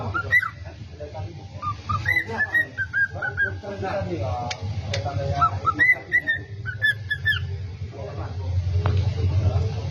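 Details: A pet cockatiel whistles its learned version of "Kalau Kau Suka Hati" (If You're Happy and You Know It). Bright whistled notes come in quick phrases, some rising or bending, with a brief human voice in the middle and steady low room hum.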